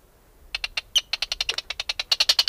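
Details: Arctic tern uttering a rapid series of short, sharp clicking kit notes, about eight per second, growing louder toward the end.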